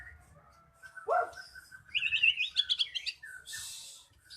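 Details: Magpie-robin song used as a lure to get a silent bird singing: a low whistled swoop, then a rising run of quick bright notes and a burst of hissy high sound at the end.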